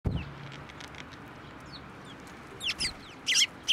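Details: Sparrows flying onto a hand to be fed at a Tenmangu shrine, 10 June 2024: a quiet start, then a few sharp, bright chirps bunched in the last second and a half over low background hum.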